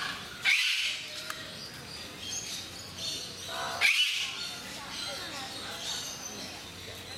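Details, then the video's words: Eclectus parrots kept at Mysore Zoo: two loud, harsh, broadband squawks about three seconds apart, each abrupt and short, over steady background hiss and faint murmuring. "Beautiful, Noisy Eclectus Parrots In Mysore Zoo"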